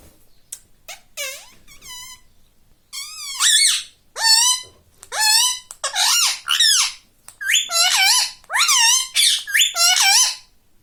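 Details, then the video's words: Pet rose-ringed parakeet indoors mimicking speech, including "mummy": a long string of high, warbling word-like syllables that grows louder and more regular, about ten bursts in quick succession. "Mummy ka pyara tota || mithuda || bolta parrot talking video"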